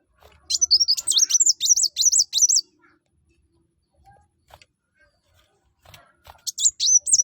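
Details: Olive-backed sunbird, locally kolibri wulung or mucang, in energetic song used to lure other birds into singing: a rapid chain of high looping whistles, a quiet stretch with faint clicks, then another short whistled burst.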